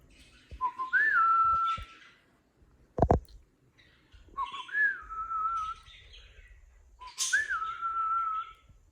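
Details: Indoor pet cockatiel giving three loud whistled calls, each a short low note then a rising whistle that levels off, spaced about three seconds apart; one sharp click between the first two.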